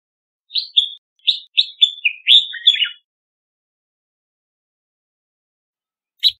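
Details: Red-whiskered bulbul singing a quick phrase of five or six bright, warbled whistled notes over about two and a half seconds, some slurred downward at the end, followed by silence and one short chirp.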